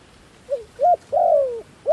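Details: Dove calling as a decoy for wild doves: a faint short coo, a louder arched coo, then a long smooth falling coo, with the next call starting at the end.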